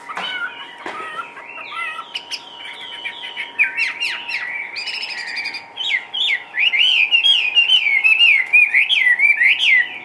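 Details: Lively caged Chinese hwamei singing varied phrases: brief chattering and mixed notes give way to loud, fast series of looping whistles that rise and fall repeatedly through the second half, over a faint electrical hum.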